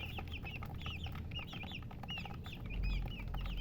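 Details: Chicks giving clear high peeps, each a quick rising-then-falling chirp, repeated several times a second by a small group, with a low background rumble and a soft thump near the end.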